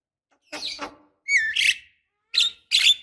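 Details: Female Javan myna calling the male to trigger his singing: four harsh, noisy squawks, the second opening with a brief whistled note.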